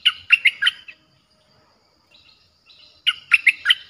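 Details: Streak-eared bulbul song, described as fierce and played to attract wild birds: two bursts of three or four rapid bubbly chirps separated by a quiet pause with faint softer notes.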